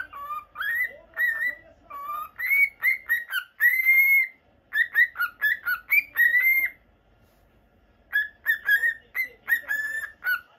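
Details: Pet male cockatiel of the normal lutino type, caged indoors, delivering clusters of bright whistled notes, some drawn into longer steady whistles, with a silent gap of about a second before a final burst.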